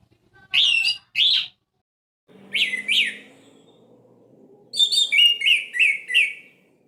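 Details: Orange-headed thrush song meant to provoke quiet birds into singing: two strong whistled notes, a pair of slurred whistles over a faint low drone, then a fast run of five or six descending whistled notes.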